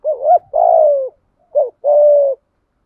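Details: Spotted dove calling: a short rising-falling coo, a long drawn level coo, then a brief coo and another long steady coo, all low-pitched and clean against silence.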